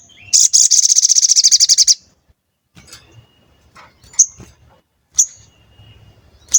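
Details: Sooty-headed bulbul (sogon) in full song, used as a lure to provoke other birds to sing and get excited: a very high, rapid buzzy trill of about twenty notes lasting over a second, then sparse sharp high chips.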